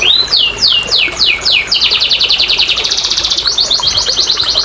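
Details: Canary song meant to trigger lazy canaries into singing: five clear descending whistles, then a long fast rattling trill that continues to the end.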